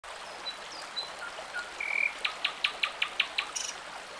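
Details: A common nightingale by a forest stream in the Irish countryside sings a phrase: thin scattered whistles, a brief buzz, then a fast run of about eight loud, hard repeated notes, over the stream's steady rush.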